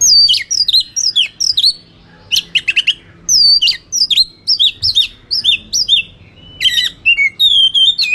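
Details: Provocative fighting song of a White-rumped shama: a long, busy string of loud sliding whistles, sharp chatter bursts and repeated two-part rising-falling notes, ending in steady warbled whistles.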